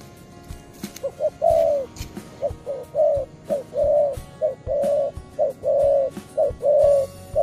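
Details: Young spotted dove calling energetically at its perch, with a patterned song. A steady series of low coos alternates short clipped notes with longer drawn ones, roughly once a second. Frequent clicking and knocking noises behind.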